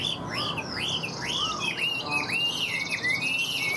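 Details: Wild-caught male Chinese hwamei, newly arrived and kept caged in northern Vietnam, singing boldly with a string of arched, clear whistles repeated about twice a second, then quicker downslurred notes, against soft background noise.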